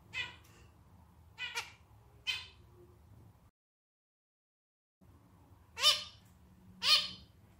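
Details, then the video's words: Zebra finch male, the singer of a clarinet-style song, giving separate short harsh nasal calls at irregular intervals of about a second, with a low background hum. "Canto do Diamante Mandarim (estilo clarinete)"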